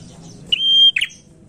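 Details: A single prinia lure phrase: one pure, steady whistle held for a moment, then a couple of quick, lower, slurred notes.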